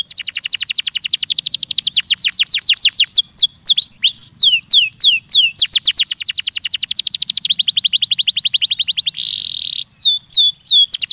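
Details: A canary's song for stimulating young canaries to sing: long runs of rapid, clipped descending notes change pace several times, broken by swooping whistles and a brief buzzy roll near the end.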